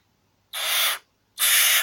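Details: A captive female barn owl, grumpy while being tickled during early glove training, gives two harsh, breathy hisses about half a second each with a short pause between.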